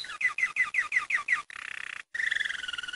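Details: Saffron finch song phrases: seven quick, downslurred whistled notes, then two rapid buzzy trills separated by a brief gap.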